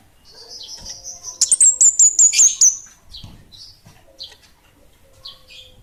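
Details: Kemade, or orange-headed thrush, in lively bunga api kecil song: a thin high trill runs into six sharp downward-slurred notes, followed by softer scattered chirps.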